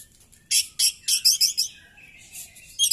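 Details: Oriental magpie-robin fighting with tail spread gives a fast run of loud, harsh, buzzy chirps, about seven bursts in a second and a half, then a softer falling whistle and a final sharp note.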